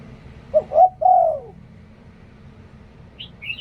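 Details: Single three-part coo from a spotted dove used as a decoy, Liu Tan style, with two short notes and a long falling note, followed by brief high chirps from another bird.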